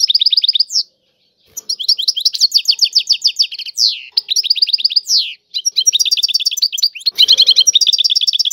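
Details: A European goldfinch sings tiwawati song almost without pause: dense high twittering, rapid buzzy trills and a few sweeping slurred notes, with two brief breaks in the flow.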